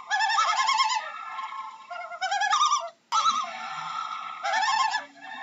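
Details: Loon uttering loud, shaky tremolo calls with rapid wavering notes, alternating with smoother held tones that rise slightly, four bursts in just over five seconds.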